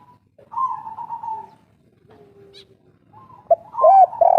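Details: Local spotted dove, kuk 3 style, with a natural voice: low, mellow coos, one drawn-out note and then a burst of short rounded hoots near the end, with quieter gaps between.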